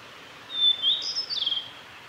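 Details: A male Blue-and-white flycatcher sings on the Kanazawa forest road at Lake Miyagase, Japan, on 3 May 2020: a brief phrase of clear, high whistles and sliding notes ending in a quick buzzy flourish, over faint background hiss.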